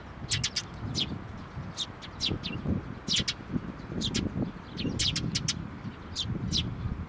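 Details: Sparrows coming for food and feeding chicks at a Tenmangu shrine on 22 May 2024: short sharp chirps, singly and in quick pairs, over a steady low rumble of background noise.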